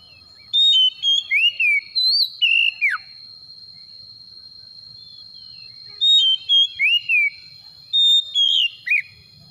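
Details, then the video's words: Oriental magpie-robin song played to lure reluctant magpie-robins into singing; two loud bursts of clear whistled notes, rising and falling slurs, separated by a three-second silence, with a steady high tone underneath. "SEKALI PANCING KACER SUSAH BUNYI LANGSUNG ON IKUT GACOR"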